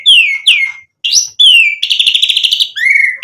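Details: White-rumped shama singing strongly, a provoking lure: clear descending high whistles, an upward swoop, then a fast even trill of repeated notes and a closing steady whistle.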